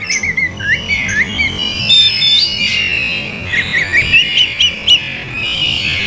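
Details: Oriental magpie-robin song played to provoke a reluctant bird into singing and fighting: varied whistled phrases with slurred rising and falling notes, mixed with harsher squawky chirps, over a steady hiss.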